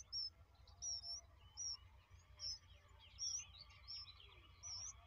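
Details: Baby bulbuls at feeding: sharp, high-pitched chirps come in short bursts about every half second to second over a low background rumble.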